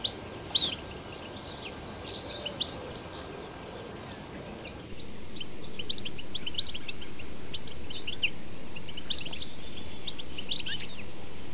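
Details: European goldfinch singing outdoors in nature, 2021: lively chirps and twitters at first, then scattered high tweets continue as the background hiss suddenly grows louder midway.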